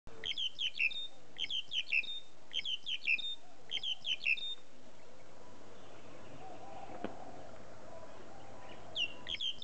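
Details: A black-collared starling at Taman Indonesia calls out full-throated, giving loud, clear whistled phrases, a run of sharp slurred notes repeated about every second, over a low background hum.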